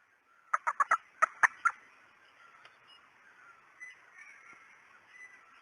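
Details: Red junglefowl hen's call used to lure birds as a decoy: a quick run of about seven sharp, clipped notes in under a second and a half, followed by a faint, hissing background.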